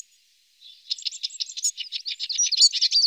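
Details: Eurasian siskin feeding on alder cones: after a quiet half second, a fast, high, scratchy twitter of varied chirps begins and grows louder, running without a break to the end.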